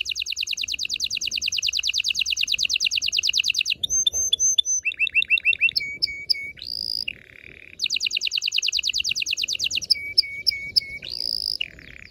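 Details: Continuous canary song for mating preparation: a long, very fast high trill, clear whistled and piping notes, a short low buzzy phrase, then the rapid trill returns with more whistles.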